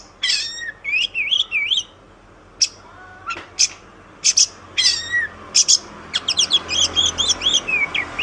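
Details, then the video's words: Kacer, the Oriental magpie-robin, singing master song used to train caged birds: high whistled slurs and crisp chips, a lower drawn whistle near three seconds, then a quick run of warbled trills, over a faint low hum. "Ocehan Suara Burung Kacer"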